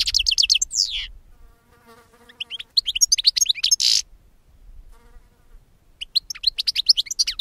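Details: European goldfinch song used to lure birds for capture: fast bursts of high tinkling, twittering notes and a brief buzzy rasp, with a pause of faint lower murmur in the middle.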